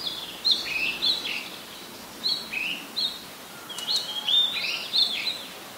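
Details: Oriental magpie-robin, a very common resident, singing in Ubon Ratchathani, Thailand, in July: varied whistled phrases, some sliding and some warbled, given in short bursts separated by brief pauses, over a faint background hiss.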